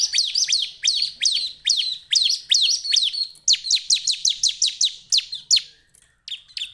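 Bar-winged prinia giving a lively song of sharp, high, downslurred chips, repeated rapidly at two to three per second with brief pauses; no other sounds intrude.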